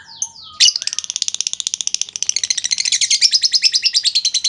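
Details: Lovebird giving a long chattering lure meant to provoke other lovebirds into replying: after a few squeaky notes, a dense rapid rattle of high buzzy chips runs unbroken to the end.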